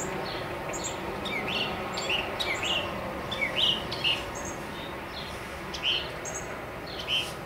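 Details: Male northern mockingbird singing atop a tall mesquite tree in central Arizona, amid jet planes, tractors, a cardinal and insects: short, sharp, chirped phrases, some swept or slurred, repeated at irregular intervals over a steady background hum.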